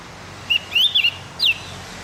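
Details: Song of a Javan grey-throated white-eye for training captive birds, played in the morning: a short whistle, a wavering rising-falling phrase, and a sharp descending note, all high and clean against soft background hum.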